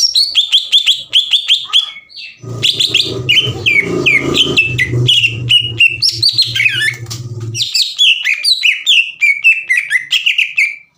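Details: Green leafbird singing energetically to provoke a rival: dense, rapid whistled and warbled phrases, varied in pitch, with a low steady hum underneath for several seconds midway.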